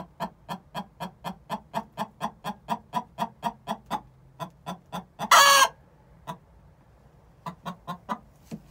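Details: Six-month-old hens singing the egg song before laying: a long steady series of sharp clucks, one loud rasping squawk, a short quiet gap, then clucking resumes.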